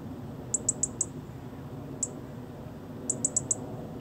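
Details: European robin chirping: very high, thin, short chirps in a quick run of four, a single chirp, then another run of four, over a low steady background hum.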